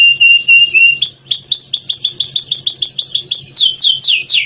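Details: Canary song used to stimulate other canaries to sing: a steady whistled note, then rapid repeated upslurred trills around five per second, shifting into looping sweeps, with a faint low hum beneath.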